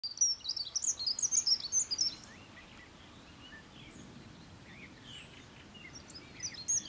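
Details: A singing dunnock (Prunella modularis) gives a fast, high, jangling warble lasting about two seconds, then a brief renewed burst near the end, over faint background hiss.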